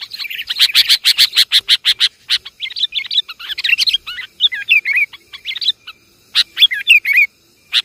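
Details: Sooty-headed bulbul lure call, Javan kutilang, used to attract birds: a fast run of sharp, dry chips about eight per second for two seconds, then a busy, overlapping chatter of short liquid warbled and whistled notes.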